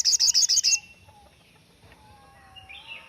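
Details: Sogon uttering a brief, loud, high rattle of six quick pulses, the standard shot-like phrase sought for training other songbirds, followed by quiet with faint softer notes.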